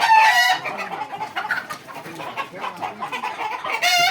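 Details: Original Egyptian Fayoumi chickens on a farm in Jamalpur's Bakshiganj area. One harsh squawk opens, softer busy clucking from the flock fills the middle, and another loud squawk closes the short stretch.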